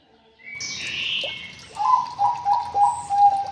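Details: White-rumped shama in an aviary: a rising whistle and a high buzzy slur, then a run of clear low whistled notes repeated about three times a second, with faint background hiss.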